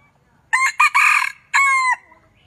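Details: A Vietnamese red junglefowl gives one strong crow made of two clipped notes, a sustained rough middle section and a steady trailing note, all within about one and a half seconds against near silence.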